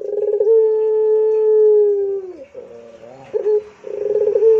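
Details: Barbary dove of the pelung type giving a long, level, sustained coo of nearly two seconds that drops away at its close, then short wavering notes and a rapid, throbbing rolled coo.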